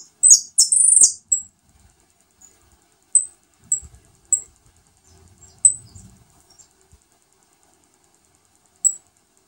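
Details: Saffron finch feeding new nestlings: opens with loud, drawn-out shrill squeals, followed by evenly spaced single high peeps and faint rustling.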